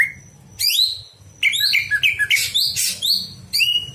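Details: Greater green leafbird night song used to train other birds: falling whistled sweeps alternating with rapid chattering notes and rough bursts, continuous and energetic, over low hum.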